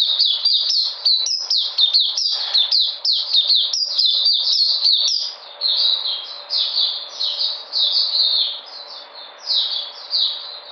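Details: White-eye recorded 13 February 2020, coming back into energy: a rapid stream of high, sharp chirping notes, dense and fast for five seconds, then softer, more spaced warbled phrases.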